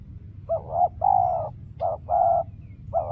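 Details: A decoy spotted dove calls during trapping, giving soft hooting coos in short-long pairs, the longer notes level and throaty, with brief gaps between them.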